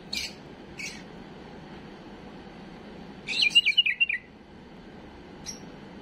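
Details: Error-free song of a tame bulbul, used to teach young birds, heard as a quick descending warbled phrase of about eight bright notes after two brief chirps, with a final short note and faint background hiss.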